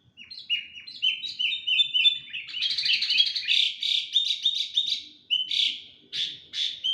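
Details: Sooty-headed bulbul, said to be stressed and showing off for attention, delivering a long unbroken stream of busy, tumbling chirps that grow denser midway, then break into separate notes.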